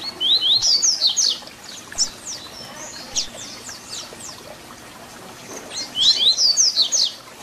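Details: Papa-capim fibra song in the Tui Tui Zel Zel style, meant for teaching young birds. There is a long, busy stretch of rapid high whistled notes, then a quieter pause, then another fast phrase.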